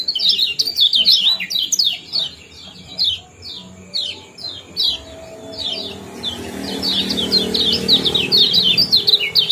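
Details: Lemon-bellied white-eye giving combined ciak and jos chatter meant to stir breeding condition and train other songbirds; quick bright downslurred chips in bursts, a pause midway, then a dense hissy stretch of high notes.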